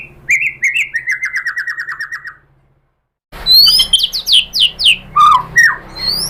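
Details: White-rumped shama lure song used to make shamas answer: a steady series of about a dozen slurred, falling whistles, a brief silence, then loud high sweeping notes and lower swoops.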